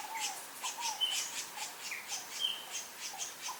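A Lineated Woodpecker gives a steady series of short, sharp, high notes, about three each second, with fainter lower whistles in between.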